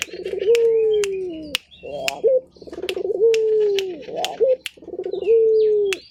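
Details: Repeated rhythmic cooing from a local puter turtle dove, pulsing then sustained and sinking in pitch, with upturned endings. Scattered clicks and thin high bird chirps sound behind it.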